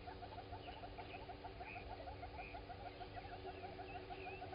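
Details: Live waterhole camera at Gowrie dam, Djuma Game Reserve, South Africa, morning of 16 September 2020: southern red-billed hornbill on foot, uttering a fast, continuous train of low clucking notes, roughly three per second, with scattered higher bird chirps and hum.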